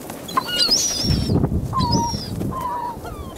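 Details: Gulls calling on a beach in winter, February 27, 2016, at 19°F: drawn-out, slightly falling mewing cries, several overlapping, over a low rumble of surf and wind.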